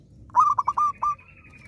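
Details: Zebra dove in full song, a keen singer, played to coax other zebra doves that have stopped singing: one quick phrase of five clear, hollow notes near one pitch, the last slightly apart, over a quiet background hum.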